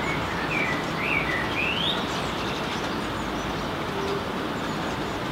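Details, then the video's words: Male common blackbird perched on an antenna and singing in the rain in Helsinki, Finland, in June 2016; a short run of clear, fluty whistled phrases rising and falling, then fading, over a steady loud hiss of rainfall. "Blackbird singing in the rain"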